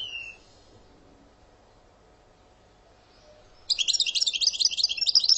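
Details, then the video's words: Algerian European goldfinch: a falling whistle, three seconds of near silence, then a dense, rapid, high twittering song running to the end. "Sortie برررت ڨازرات تيواواطي + passade داوداو كياكيا صاوصاو دجيو canto jilguero argelia"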